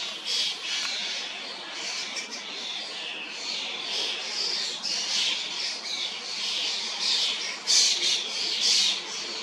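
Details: Young common starlings out of nestboxes begging while adults feed them in an old, high sweet cherry tree, Hrodna, western Belarus, June 2025, among hundreds of birds; a dense, continuous wash of hissing, squawking high calls.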